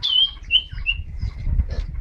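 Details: Sirtu cipow bird recorded on a phone, singing vigorously and nonstop: bright whistled notes near the start and another shortly after, with fainter chirps. Low rumbling noise and a man talking are heard underneath.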